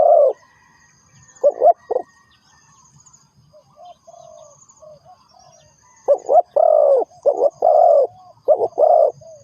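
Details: Spotted dove lure call for trapping: an opening coo and a few short notes, a quieter stretch of faint cooing, then a rich run of doubled coos and long croos.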